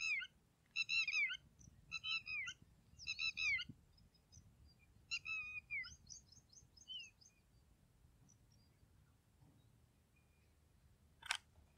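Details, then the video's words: Red-wattled lapwing giving a loud series of shrill, ringing notes in quick clusters of three or four, repeated over several seconds before fading to scattered fainter notes, then one sharp click-like crack near the end amid quiet low background noise. "Red Wattled Lapwing Call"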